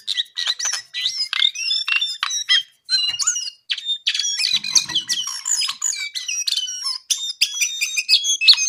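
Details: Brown-eared bulbul in full, nonstop song: a dense, rapid run of high whistles, squeaky chirps and short trills with hardly a break.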